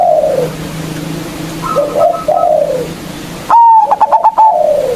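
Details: Local zebra dove lure for rival birds: gentle falling coos at first, then one loud whistle opening into a fast train of short pulsed notes that tails off into a drooping coo.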